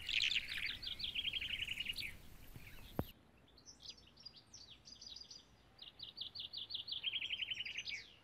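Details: European roller, a rare migrant that breeds in spring and summer on the Mzab phosphate plateau in Morocco, gives fast runs of harsh, chattering notes in bursts of a couple of seconds, with a sharp click partway through.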